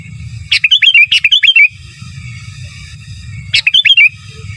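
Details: Giras and menggaruda style song of a sooty-headed bulbul, used as a master: a long run of clicks and rapid looping whistled notes, a pause, then a shorter repeat, with low rumbling noise between.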